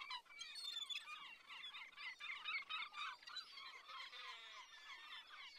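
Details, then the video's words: Sea gulls calling together in a dense, overlapping chorus of harsh, slurred cries, several per second, rising and falling in loudness. "The sounds of sea gulls"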